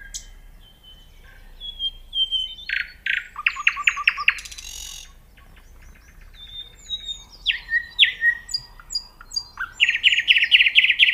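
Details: Nightingale pouring out a long varied song: pure whistles, a fast series of loud repeated chopping notes, sharp clicks, sweeping downslurs and closing rapid rattling trills, phrases changing every second or two over a quiet background.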